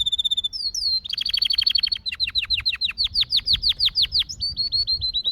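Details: Singing canary repeating a run of steep downward-slurred chirps, about three per second, between faster trills and a closing series of short whistled notes.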